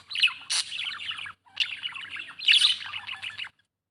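A budgerigar chatters in a rapid, scratchy stream of chirps, clicks and warbled notes.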